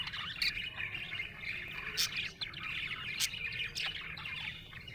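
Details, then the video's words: Cheerful budgerigar chirping, a steady run of twittering chatter broken by three or four crisp, clicking bursts, with a brief dip in loudness midway. "Happy budgie chirping sound"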